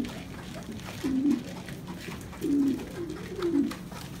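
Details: A French pigeon in Hanoi, in breeding condition, gives low, soft coos, three short throaty phrases about a second apart.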